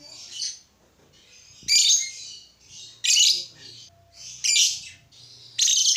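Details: Lovebird calling, a sound used to get other lovebirds singing: loud harsh high squawks roughly every one and a half seconds, alternating with softer chirps in between.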